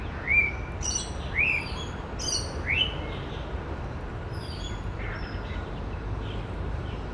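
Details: White-rumped shama male in mimicry song among woodland birds. Three strong upward-sweeping whistles with crisp high ticks come about once a second, followed by fainter, softer whistled notes and quiet background hiss.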